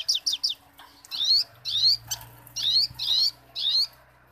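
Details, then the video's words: Little spiderhunter in full song for training other birds: three quick high chips followed by five buzzy, upslurred high phrases about half a second apart, over a faint low steady hum. "Burung mastera sogo ontong gacor ngobra"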